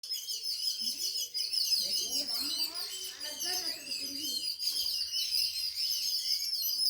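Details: Many small birds kept indoors at home chirp in a dense, high, twittery chatter, with a person's voice talking quietly underneath through the middle of the recording.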